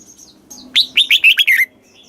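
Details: Red-whiskered bulbul in a cage, Thailand, singing southern master-song style for tutoring young birds; one energetic phrase of about six rapid, liquid notes that wobble and slide downward, with faint soft chirps before and after.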